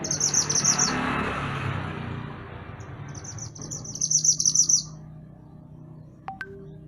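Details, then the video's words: {'_': 'Mantenan gunung songbird recorded as master song for training songbirds: two high, rapid, trilling twittered phrases about three seconds apart over background noise, followed by a faint click.'} "Mantenan Gunung Gacor Burung Masteran Untuk Burung Kicau"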